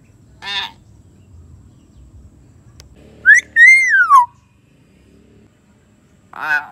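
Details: Common hill myna, meant to spur a silent bird to sing: a brief nasal note, then a loud clear whistle that rises and falls in a long arc, and another nasal note at the end.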